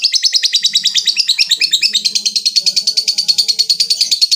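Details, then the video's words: Lovebird in long ngekek calling a rival: a continuous rapid chattering trill of harsh high notes, about three per second pulses, unbroken for over four seconds, with soft low murmurs behind. "Suara burung lovebird ngekek panjang | Memanggil lawan"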